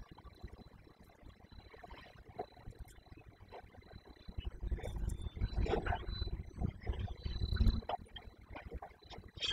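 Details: Low rumbling wind and handling noise swell toward the middle, with a faint steady high tone and scattered thumps but no clear animal call.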